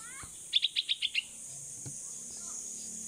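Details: Little bulbul fledgling, 16 days old and learning to fly, calling for its mother in the open: one rapid, even series of six high, sharp chirps, then quiet.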